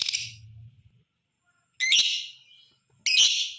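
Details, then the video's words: Lovebird chattering used as a masteran lure to provoke other lovebirds into calling: harsh, buzzy bursts of rapid chatter, the first trailing off, then two loud grating screeches about a second apart. "Suara Masteran burung Lovebird, Ampuh bikin lakbet ikut bunyi, ngekek panjang pancingan LoveBird"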